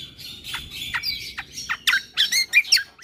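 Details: Yellow-vented bulbul tutor recording: harsh squawky notes sliding downward, spaced about every half second, then closer together toward the end, with low background hum.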